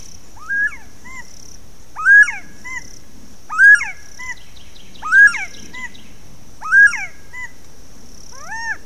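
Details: A bird calling in the background, guessed to be a Northern Bobwhite, repeats a loud, clear, rising-then-falling whistle about every one and a half seconds, over a steady high insect drone.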